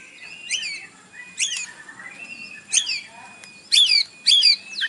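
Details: White-rumped shama in captivity, morning song meant to provoke a response: separated sharp whistled phrases with high sweeping notes, spaced about a second apart over a faint background hiss.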